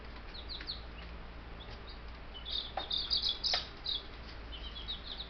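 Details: A brood of ten young Buff Brahma chicks peeps loudly and shrilly, rapid overlapping cheeps swelling to a dense burst midway, with a few sharp knocks and a faint low hum behind.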